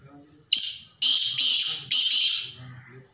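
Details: Black francolin (kala teetar) calling in repeated rounds: a sharp whistled note, then three loud, harsh, grating bursts in quick succession, each about half a second long, over faint background noise.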